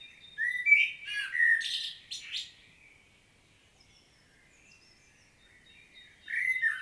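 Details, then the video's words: Common blackbird singing in Świnoujście, Poland, on 25 September 2022: low fluted whistles sliding around two kilohertz, then a burst of higher scratchy twittering, a long quiet pause, and a new whistled phrase starting at the end. "Blackbird's solo"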